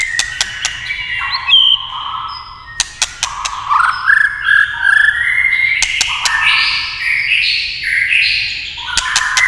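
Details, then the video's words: White-rumped shama in varied song after tail-tapping clicks: stepped whistled phrases climbing in pitch, rich warbles, bursts of sharp clicks at the start and mid-way. "chòe lửa tạch đập đuôi cạch cạch kích thích chòe lửa hót"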